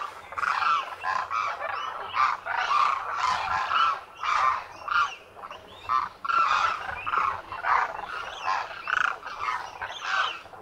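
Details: Demoiselle cranes wintering in great numbers at a lake near Khichan village, Thar Desert, Rajasthan, India, locally named koonj; many overlapping raspy, rolling trumpet calls in short bursts throughout.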